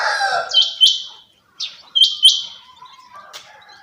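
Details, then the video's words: A female quail gives short, sharp, high chirping notes in quick pairs, each with a bright upward flick, about four notes a second. "Female quail sound | Madi batairy ki awaz | mada batair kirak |Chinga batair ki awaz"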